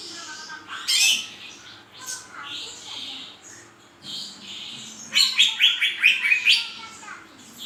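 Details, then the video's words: Cucak ijo delivering loud sharp calls mixed with soft whistled notes, then a rapid stuttering run of bright high notes near the end. "#cucakijo #kicaumania #burung #hijau"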